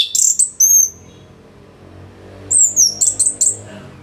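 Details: Orange-headed thrush song for tutoring songbirds, northern Bali: loud high squeaky notes and a thin whistle, a pause, then a quick string of very high chirps.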